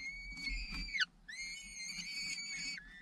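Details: Falcon at its nest as an adult returns from hunting to feed the chicks; loud, harsh, drawn-out screaming wails with rich harmonics, each lasting about a second and ending in a downward slur, with a short gap between them.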